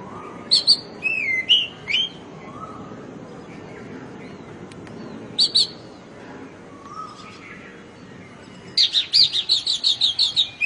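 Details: Oriental magpie robin song from rural Bengal, where it is called doel. Varied whistles and sharp high notes come in bursts, and a fast run of repeated chirps closes the sequence. Soft lower whistles from another bird are heard between phrases.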